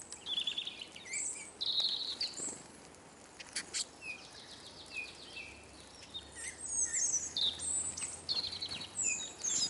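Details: Many Eurasian siskins (Carduelis spinus) feeding at a bird table in Kolmården, Sweden, recorded at ground level under the feeder. Busy high twitters, buzzy trills and short falling whistles overlap continuously with patter and flapping.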